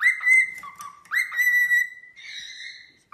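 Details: Pet cockatiel whistling indoors: long level whistled notes, some dipping lower then rising back, linked into a smooth flowing phrase with a brief sharp note at the end.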